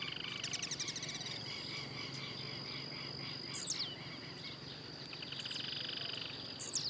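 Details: Wild blue-black grassquit, singing and hopping: two quick buzzy notes dropping sharply in pitch, about three seconds apart, after a stretch of rapid trilling from other callers; steady insect hum throughout.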